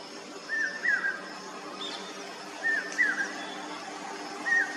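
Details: Common hawk-cuckoo song: three whistled phrases about 1.8 seconds apart, each a brief note then a loud slurred, descending whistle, with faint high chirps from another bird in the background.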